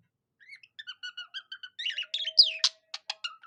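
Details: Pet budgerigar singing in imitation of a cockatiel: a run of short, evenly spaced whistled chirps, then louder buzzy warbles, a sharp rising-falling squeak and quick clicky notes.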